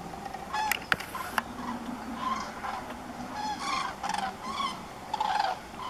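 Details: Common cranes on autumn migration calling in flight in the morning, heading to cornfields, loud rolling trumpets from several birds overlapping roughly every second, over a steady background hiss.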